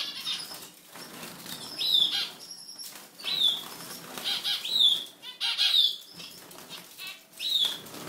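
A European goldfinch gives short, bright, slurred notes about every second and a half, mixed with bursts of fluttering wing noise.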